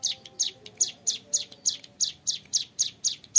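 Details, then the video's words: Young hill prinia (ciblek gunung) in full, lively ngebren song with a clear voice: a rapid run of sharp, high, downward-sweeping chips, about four per second, steady and unbroken throughout. "MASTERAN CIBLEK GUNUNG MUDA GACOR NGEBREN PANJANG SUARA JERNIH"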